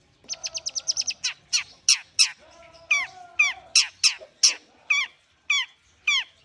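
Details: Warming-up song of a long-tailed shrike in Indonesia, opening with a rapid run of about ten buzzy notes, then spaced, loud, descending slurred whistles.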